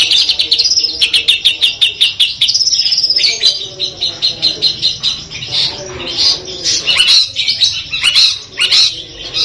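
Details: Long-tailed shrike of the Madura 'Peterpan' type, 'full Armagedon' material: rapid descending ticking trill, a drawn-out whistled phrase, then irregular mixed chips and buzzy notes of shifting pitch.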